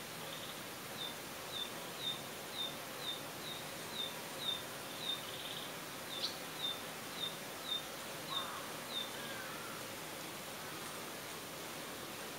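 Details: A Narcissus flycatcher, back puffed and tail spread in threat, gives its odd threat call, a string of short, high, clipped notes about twice a second; it had been mimicking a cicada and later resumed normal calls.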